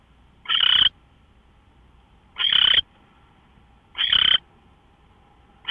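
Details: Owl heard at 5:27 AM, 24 March 2013, uttering loud raspy screeches about half a second long, repeated roughly every one and a half seconds, a faint hum underneath.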